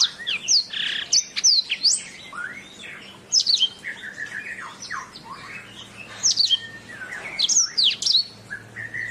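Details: Canary song recorded as a master for training birds: clusters of high chirps, whistled sweeps and lower slurred notes in bursts separated by short gaps, with a faint low electrical hum underneath.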